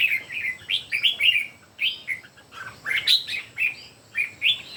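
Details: Three red-whiskered bulbuls in a singing contest deliver lively, chirpy whistled phrases, notes sweeping up and down in quick clusters with short gaps between bursts.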